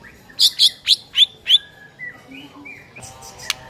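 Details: Morning lure of White-rumped shama (murai batu) song to train a silent bird to sing: five loud, sharp, descending high notes in quick succession, then soft scattered whistles and a brief click.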